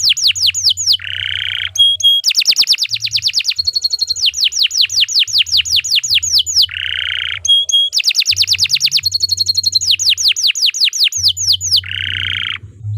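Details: Canary in extended gacor song for teaching other birds: repeated cycles of harsh buzzy bursts, bright steady whistles and long fast rolling trills, delivered with hardly a break, over a faint low hum.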